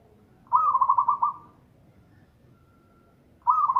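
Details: Zebra dove of a local type in full loud song: one quick trilled coo of about six pulsing notes, followed by silence, then the next phrase beginning.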